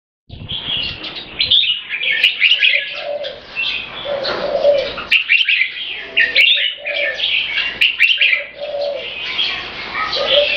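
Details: Caged purebred Thai red-whiskered bulbul from a champion competition bloodline, giving its 'keke' competition call with butir singing: dense bursts of sharp, chattering high notes in quick runs, with brief pauses and low, soft cooing notes beneath.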